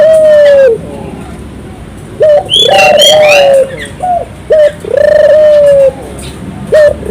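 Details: 'Gacor' turtle dove lure song for stirring local doves to sing: drawn-out low coos and short sharp notes, with a burst of high bird chirping over the middle.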